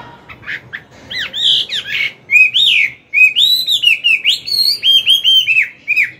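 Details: Morning song of a mature wild-caught Chinese hwamei coaching a young bird: soft opening chips build into loud, clear arching whistles repeated in quick succession.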